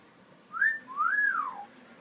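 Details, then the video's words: Pet parrot in a small room whistling clearly: a quick rising note, a short gap, then a long smooth whistle that climbs and falls lower than it began "Birds say the darndest things"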